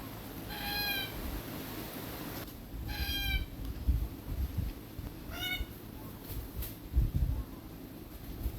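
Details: Red-tailed black cockatoo in Australia, feeding on beach almond (Terminalia catappa) seeds, giving three harsh, grating, rolling calls spaced about two and a half seconds apart over steady low rumbling background noise.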